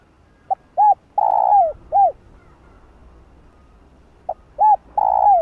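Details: Spotted dove cooing to excite other doves: two phrases, each a faint pip, then a short arched coo, a long loud note sliding downward, and a closing arched coo, separated by about two seconds of quiet.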